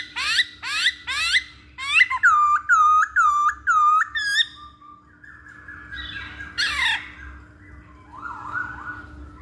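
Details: Masked laughingthrush lure call: a fast volley of harsh rising squawks, then a rhythmic run of short hooked whistled notes about twice per second, fading into softer harsh chatter; constant faint hum behind.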